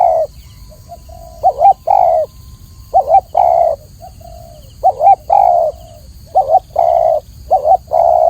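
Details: Clear-voiced spotted dove, known as tekukur, in a training recording: several cooing phrases, each a quick wobbling double note then a fuller sustained coo, with soft low notes between phrases and faint background hiss.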